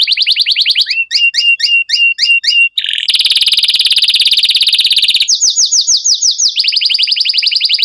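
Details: Atlantic canary in breeding condition, eager to mate, singing a long roll: shrill rapid trills, first chopped into short repeated bursts, then one unbroken buzzing roll, then fast sweeping notes, with no other sounds.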